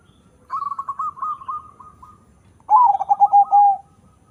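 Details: Zebra dove of a local-Bangkok crossbreed, bred for a large voice: a steady run of quick fluttering notes held level, a short gap, then a loud lower series of throbbing, descending coos.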